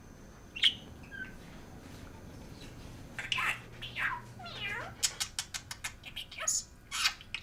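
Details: Disco, a male pet budgerigar that mimics over 130 phrases, chatters in mimicked talking at home, scratchy buzzy syllables and quick high clicks, talking as play and an expression of wild behaviour.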